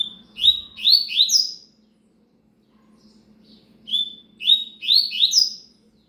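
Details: Double-collared seedeater song of the cigano type, two bursts of quick, bright down-sweeping notes about three seconds apart, with a soft continuous hum in the background.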